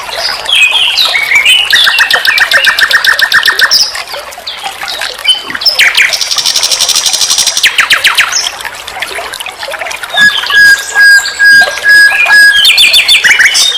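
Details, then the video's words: Master recording of common nightingale song, sikatan londo, for training cage birds. Varied phrases alternate: stacked buzzy trills, a long loud rattle, a flat sustained whistle and bursts of rapid chattering notes. "Masteran SIKATAN LONDO || NIGHTINGALE BIRD"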